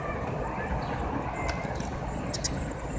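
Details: Eurasian blue tit chicks seven to nine days old call while being fed, giving a brief run of high, wavering squeaks with a couple of sharp clicks and a steady low hum.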